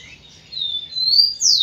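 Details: Tico-tico, or rufous-collared sparrow, singing to stimulate females: a long, high, level whistle that brightens, then ends in a sharp, loud downward slur.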